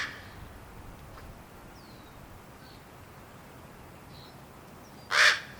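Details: A baby common raven, hatched 1 April 2022 and fledged 15 May 2022, grows impatient waiting for its parents to feed it and gives one loud, harsh, rasping call after a quiet stretch with faint thin chirps from small birds.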